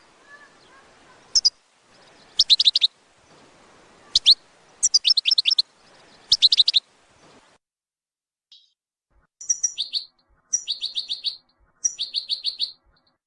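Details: Goldfinch batbata, a recording used to attract goldfinches for trapping: bursts of rapid, buzzy twittering notes in separate phrases. Later phrases are cleaner runs of quick metallic chirps with short silences between them.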